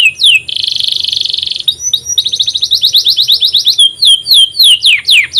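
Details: Canary master song for prompting other canaries to sing: quick downward-sweeping whistles, a buzzy rapid rattle, then a rolling trill and loud swooping notes, varied and continuous, with a soft low hum underneath.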